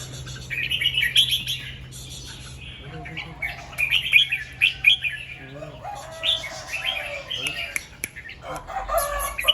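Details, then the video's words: Red-whiskered bulbul singing in the morning in the doubled 2-3 and 'rik' styles: clustered bright whistled phrases repeated several times, with low clucking from fowl and a steady background hum. "เสียงนกกรงหัวจุก ร้องเบิ้ล2-3 ร้องริก"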